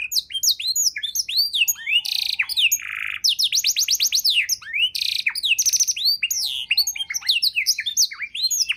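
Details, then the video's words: Canary tutor song for training songbirds, dense and varied: rapid high trills, rising whistled sweeps, short chirps and harsh buzzy bursts pouring out almost without pause. "kenari isian mewah‼️sangat cocok untuk masteran burung abda‼️❗"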